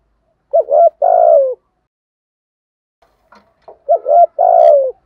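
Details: Spotted dove giving standard-style calling coos used to provoke wild doves: two phrases, each a quick pair of short wavering notes then a long, slightly descending hollow coo, separated by a three-second pause with faint clicks.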